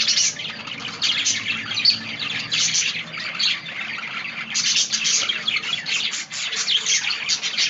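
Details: Budgerigar flock-style chatter: high chirps, squeaks and harsh squawks blend into a constant busy twitter that grows denser and louder in the second half.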